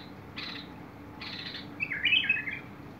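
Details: Bulbul song from 21 August 2022: two scratchy, buzzing notes, then a bright, tumbling warble that rises and falls quickly, with steady low hum underneath.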